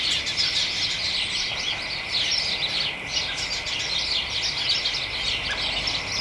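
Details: House sparrows and fellow birds chattering excitedly together in a hedge on an early December late afternoon: continuous overlapping chirps and twitters, steady and busy, over a faint unchanging high tone.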